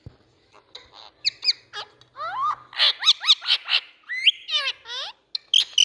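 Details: Indian ringneck parakeet giving a long run of varied calls: clicks, sharp chirps, rising whistles and harsh down-slurred squawks in rapid, irregular sequence, with soft low murmuring early on.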